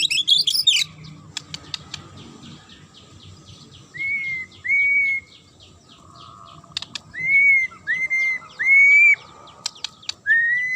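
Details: Magpie-robin giving a sharp song meant to make other birds answer and turn aggressive: clear upslurred whistles near the upper-middle range, repeated in short bursts with pauses, with faint clicks and chirps in between.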